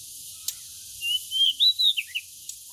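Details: Pied bushchat sunbathing: a single phrase opening with a thin, slightly rising whistle, then a run of short bright whistled notes climbing higher, ending in two quick downslurred notes, over faint background hiss.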